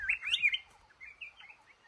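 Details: Male red-whiskered bulbul at a trap in a cashew garden gives a quick warbled phrase of bright slurred whistles, followed by softer trailing notes.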